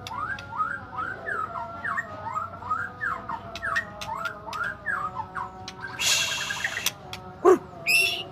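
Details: White-rumped shama lure recording meant to provoke a mute bird into singing: a fast series of repeated down-slurred whistles, then a burst of harsh noise and a high squeak, with constant background hum.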